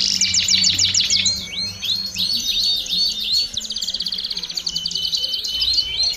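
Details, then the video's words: A group of domestic canaries singing: bursts of rapid chattering trills and short rising whistled phrases, intensity varying, with a faint low hum beneath. "BADERNA DE CANÁRIOS DO REINO - TOP PARA ESTIMULAR O CANTO!!!"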